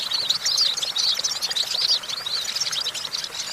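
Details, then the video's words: European goldfinch singing on a branch, a quick run of high, jangling twitters and short trills with little pause, with a soft background hiss. "Discover the stimulating sounds of the natural the goldfinch"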